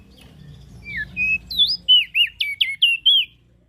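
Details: Ashy prinia in full, lively call used to lure small birds: a rapid series of about nine clear, high, downslurred whistles, each under half a second, delivered in a brisk, slightly uneven rhythm over faint low hum.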